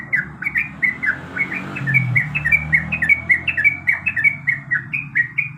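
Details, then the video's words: Yellow-vented bulbul, a female in breeding condition calling to the male: a steady run of short, bright, bubbly chirps, each slurred up or down, repeated about twice a second, over a low background rumble. "suara trucuk Gacor"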